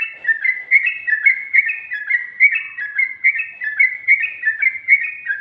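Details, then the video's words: Sooty-headed bulbul singing a ngikluk-style ropel: clean, evenly paced whistled double notes, rising then falling, repeated about three times a second without a break. "Burung Trucuk Ropel,ngikluk...ada ngGARUDAnya juga"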